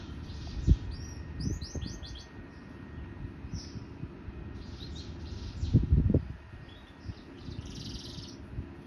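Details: Canary after molting resumes song in short bursts: brief high trilled phrases and single upslurred notes separated by pauses, with low knocks and handling thumps in between.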